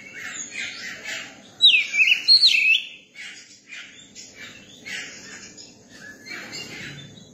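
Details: Oriental magpie-robin, a young bird at ease with people, gives quick buzzy twittering, broken by a bright burst of zigzag whistled notes, then more fast chattering phrases.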